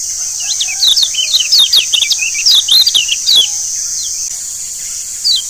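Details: Lure song of the Lombok yellow white-eye (kecial kuning) to encourage singing: a dense run of rapid high chirps and warbled twitters for three seconds, then quieter, under a persistent shrill background buzz.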